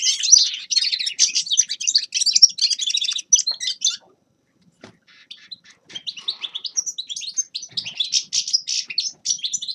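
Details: Grey-crowned goldfinch song: lively, high-pitched twitters and rattling trills pour out for four seconds, fall silent briefly, then resume as a sparser, chattering warble.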